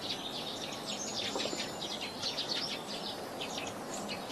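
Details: Feeding sparrows give continuous chirping, dense overlapping short high tweets and twitters with no clear rhythm, several birds calling at once against a constant low hiss.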